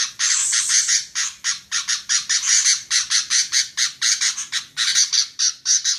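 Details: Female sooty-headed bulbul giving rapid rasping chatter, a steady run of short harsh buzzy notes roughly four per second, loud and continuous with only tiny gaps.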